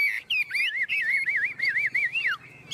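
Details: Chinese hwamei, a tame bird, singing 'ôm cống' while perched on a hand: a fast run of looping, wavering whistles, each rising and falling, ending in a sharp downward slide.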